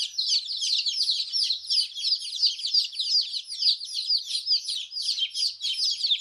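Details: Baby chicken chicks chirping together in a dense, continuous chorus of high, short peeps, many overlapping and often falling in pitch, with no gaps and no other sounds.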